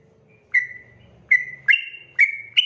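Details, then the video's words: Sooty-headed bulbul singing a long 'ropel' song. Loud, clear whistled notes repeat roughly every half second. Each note slides slightly downward or stays level, and the later notes climb to a higher pitch. A faint low hum sits underneath. "KICAU SUARA trucukan gacor ropel panjang"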